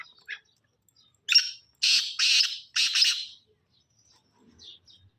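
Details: Black francolin (kala teetar) at Shakardara, Khyber Pakhtunkhwa, Pakistan: one harsh, grating phrase of four loud rasping bursts spread over about two seconds, preceded by a few faint short notes, with quiet surroundings.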